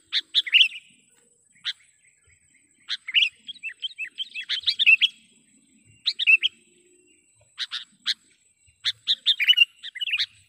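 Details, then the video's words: Sooty-headed bulbul lure call used to attract wild bulbuls for trapping: scattered bursts of bright chirps and bubbly, slurred phrases, separated by pauses of one to two seconds. "suara BURUNG KUTILANG PIKAT gacor / pikat kutilang gacor dengan suara panggilan kutilang gacor"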